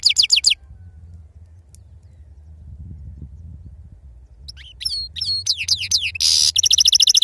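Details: Goldfinch of wild-type 'serfati' singing style: a burst of high chirps opens, then a few seconds of near silence with low rumble, followed by renewed twittering, a harsh buzzy note and quick repeated trill phrases.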